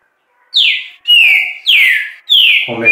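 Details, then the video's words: Green-winged saltator song on a Friday a little after 4 pm: four loud, clear whistled notes, each sliding down from high to mid pitch, about half a second apart, with a brief human voice at the end. "QUAL É O CANTO DESSE TRINCA FERRO"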